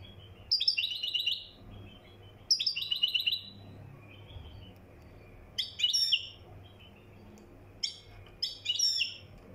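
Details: Moroccan European goldfinch, mkhanter song style: liquid twittering phrases of rapid high notes, two long runs early and shorter bursts later, separated by quiet gaps, with a low electrical hum underneath.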